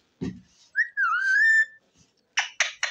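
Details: Captive ringneck parrot indoors: a low rough note, then a drawn-out clear whistle rising and wavering, followed by three quick harsh squawks.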